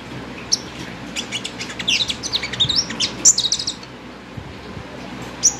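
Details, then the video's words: Five-coloured sunbird, kept as a cage bird, singing a burst of high, thin chirps and twittering notes with quick rising and falling slurs, clustered in the middle of the phrase, over faint background hiss. "Tiếng hút mật 5 màu chuyền hót,líu."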